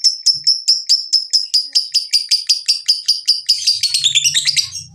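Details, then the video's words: Lovebird ngekek used to stimulate singing: sharp, high, clipped notes repeated about four to five times a second, then breaking into a denser, tumbling chatter at the close, over a faint low hum. "Pancingan Jitu Lovebird BUNYI dan Ngekek, menjadikan Lovebird Rajin Bunyi"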